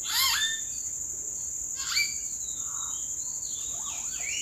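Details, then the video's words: Common hill myna calling from treetops in April. Loud squawks with descending whistled tails, then quieter wavering whistles, over a continuous shrill insect drone. "සැළලිහිණි යෝ අනේ ලස්සන ගීතයක් වාගේ ඒ නාද රටා..."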